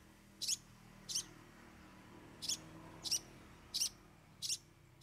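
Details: Long-tailed shrike performing 'bongkar 3 isian' fill-ins: seven sharp, clicking harsh notes repeated at an uneven, roughly two-thirds-of-a-second pace over faint background hum.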